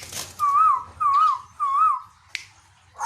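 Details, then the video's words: Tuwu (Asian koel), a caged bird in Bogor, Indonesia, repeats a wavering whistled note three times at even intervals, then goes quiet apart from a click, with low room hum beneath. "Suara Asli Burung Tuwu Pemancing Bunyi"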